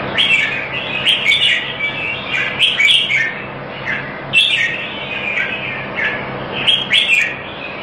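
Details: Red-whiskered bulbul at a singing competition in Singapore, on its first win: short bright chirpy phrases in bursts roughly every one to two seconds, with a pause between, over a steady low background hum.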